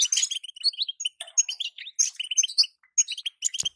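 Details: Female European goldfinch calling to spur a moulting male into song: rapid, bright twittering chirps and short trills at high pitch, tumbling in quick uneven bursts with brief gaps.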